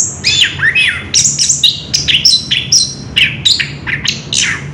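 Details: Orange-headed thrush recorded on 3 March 2016, rolling out a nonstop ngerol song of quick high chirps, squeaky slurs and whistles at an even, busy pace, with a low steady hum underneath.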